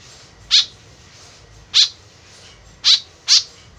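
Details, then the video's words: White-breasted woodswallow, actively calling, its sound used as a lure: four harsh, nasal notes, the first two widely spaced, the last two given in quick succession, over quiet hiss. "BURUNG KEKEP BABI GACOR SUARA JADI PIKATAN . SUARA BURUNG KEKEP MENDEKAT"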